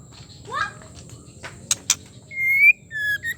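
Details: A female white-rumped shama, whose voice is used to rouse males into full song, gives a rising chirp, two sharp clicks, then long pure whistles, with a faint steady hiss behind.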